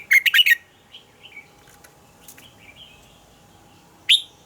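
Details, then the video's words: Red-whiskered bulbul's morning song, said to be a double-note song of a forest-matured bird for training purposes. An opening burst of rapid rich notes, softer scattered chirps, then one sharp loud note near the end. "Luyện giọng cho chào mào hót sáng - Hót hay nhanh lửa, chào mào hót âm kép già rừng hay tuyệt!"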